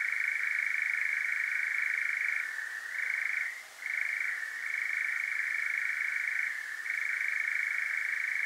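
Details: European nightjar churring at night in Devon, South West UK, captured with a parabolic microphone and Zoom H5: a loud, steady mechanical trill that drops briefly in pitch and fades near the middle before resuming at full strength.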